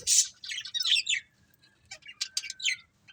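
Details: Budgies from a happy colony chirp in a lively burst of high twittering notes, then a short pause and a few scattered sharp chirps ending in a rising whistled note.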